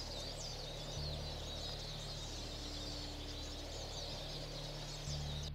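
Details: A flock of Eurasian Siskins feeding on pine cones in a tree in Bavarian Forest National Park, Germany, in March 2023 gives a steady chatter of high, thin twittering calls over a low rumble of wind and hum.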